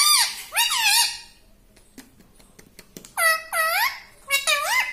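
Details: Pet talking parrot indoors, praised for speaking like a human. It gives loud nasal, arching harmonic phrases in two bursts, one at the start and one after three seconds, with soft clicks and taps between them.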